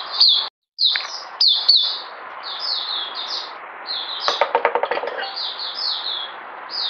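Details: Mousey-style song of an oriental white-eye, known locally as puteh, from 9 June 2019. Quick high downslurred whistles in bursts, with a brief break near the start and a short rattling patch midway.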